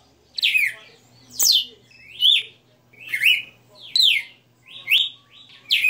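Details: A kept galo de campina, the Red-cowled cardinal, delivers 60 notas song, loud falling whistled notes roughly every 0.8 seconds, each sliding from high to a steadier lower pitch, with a soft background hum.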